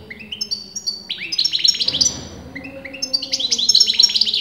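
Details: European goldfinch, a bird whose sex is disputed by experienced breeders, singing continuously: rapid high twittering phrases with buzzy, sliding notes, a short pause near two seconds, then another dense burst of trills.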